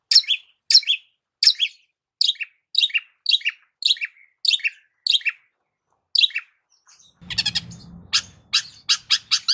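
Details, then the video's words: Long-tailed shrike (cendet) lure song: a run of sharp, downward-slurred two-part notes repeated about every half second, then a brief low rumble under a burst of rapid chirps. "SEMAKIN HARI CENDET SEMAKIN BAYAK VARIAN KICAU DENGAN SUARA PANCINGAN FULL ISIAN MEWAH INI"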